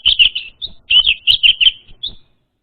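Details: Orange-headed thrush song played as a lure for a raw, untrained bird: rapid chain of high, slurred chirps with short pauses, ending in a brief thin note.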